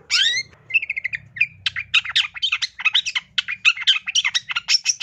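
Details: Long-tailed shrike master song for training songbirds: a harsh opening note, a short series of even chips, then a long unbroken stream of rapid scratchy, chattering notes.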